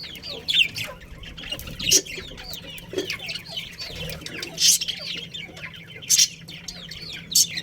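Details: Colony of budgerigars including a breeding pair, giving a steady stream of soft warbling chirps and squiggly notes, with louder harsh scratchy bursts every second or so and a faint low hum beneath.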